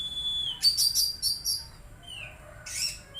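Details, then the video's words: Magpie-robin song with a long level whistle, then a rapid run of rich, scratchy warbled notes, a falling slurred whistle and another dense burst; low hum in the background. "Terapi Kacer Bahan Agar Cepat Bunyi"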